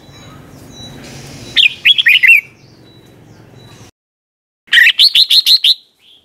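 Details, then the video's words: Red-whiskered bulbul giving its doubled 'boen' song, style named '100 Archeep', meant for young birds to copy; two loud whistled phrases of five to seven quick, chirpy rising notes, separated by a pause, faint hum before. "เสียงนกกรงหัวจุกเบิ้ล เพลง100อาชีพ สำนวนเพราะมากๆ สำหรับสอนนก-ปั้นนก"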